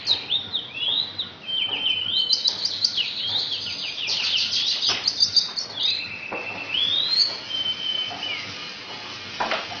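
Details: Asian pied starling song imitating magpie-robin and canary, made of quick rising and falling whistles, rattling chatter, a long upslurred whistle and scattered sharp clicks.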